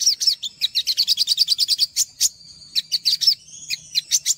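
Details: Olive-backed sunbird, called sogok ontong, singing as a masteran to draw out untrained birds: a quick run of high sharp chirps, then thin drawn-out whistles woven between clipped twittering notes.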